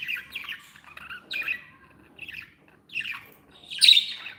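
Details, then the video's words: Happy pet budgies twitter in short, nasal chirps and buzzy warbles repeated about every half second, ending in a louder, shrill squawking burst. "Happy budgies | Happy budgies sound"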